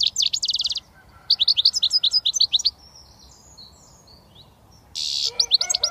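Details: British European goldfinch, a young bird just beginning to whistle, gives a rapid high trill, then a run of sharp twittering notes, and ends with a harsh buzzy burst and further chirps; soft distant bird calls fill the pause.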